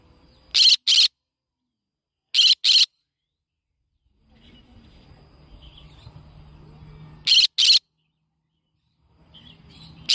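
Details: Yellow-sided conure parrot giving harsh, very loud screeching calls in quick pairs, each pair two short rasping bursts, repeated three times with silent gaps, then a single screech at the end; faint low hum between calls.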